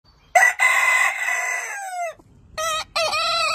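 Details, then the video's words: Rooster of a heritage chicken breed crowing: a loud, harsh opening note running into a long, steady, slightly falling crow of almost two seconds, then a second rooster-style crow starts with rising, wavering notes. "Hane Gallos Cantando Chicken Crowing as Chicken Song Suara Ayam Pelung Berkokok Hahnen Krähen"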